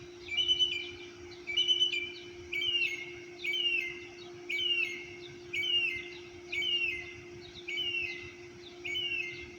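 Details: Early-morning birdsong at 6:30 am, apartment complex, Orlando, Florida: a high downslurred phrase repeated about once a second in a steady series, with a constant low hum behind it.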